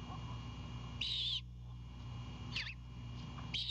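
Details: Great horned owlet at a Savannah nest, night of 4/7/22, greeting its mother carrying an Anhinga: a harsh wavering screech, a shorter twisting squeal, then another screech beginning at the end, with steady low hum.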